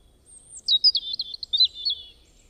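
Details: Bird chirping: a thin high whistle slides down, then a quick series of bright, twittering chirps follows over about two seconds, with a quiet low rumble beneath.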